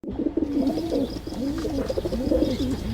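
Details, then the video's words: Pigeons cooing in low, throaty rolling phrases that rise and fall, with overlapping coos from more than one bird and faint higher chirps in the background. "Pigeon sound Effect"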